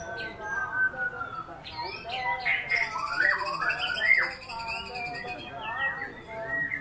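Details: A white-rumped shama sings a varied song with steady whistles, then a burst of steep rising and falling slurs in the middle. A faint sustained high tone runs underneath.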